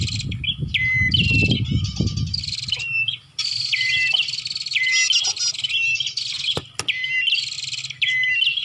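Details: Bar-winged prinia lure sound for attracting birds: high, energetic chirping and trilled buzzes with falling whistled notes, rapid phrases, over low rumbling in the first three seconds and two sharp clicks.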